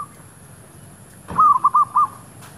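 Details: Zebra dove calling during an attempt to lure wild doves near a shop area; a quick run of four short, clipped cooing notes at mid pitch follows a soft thump, with faint background hum.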